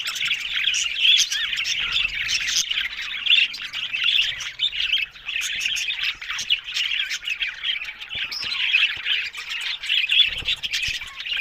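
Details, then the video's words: Happy budgies chattering in an unbroken stream of rasping squawks, trills and high chirps, with brief low thumps near the end. "Amazing Talking Happy Budgies Sounds"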